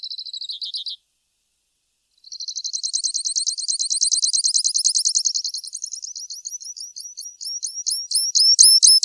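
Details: Grassland yellow finch (Sicalis luteola) sings high, buzzy phrases: a short opening burst, a pause, then a long rapid trill that runs into a series of quick upslurred notes.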